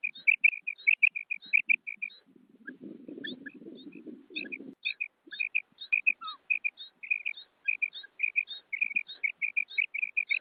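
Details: Female common quail giving short, clipped notes in tight clusters. A brief low rumbling noise interrupts midway, after which the calling resumes at a steady pace.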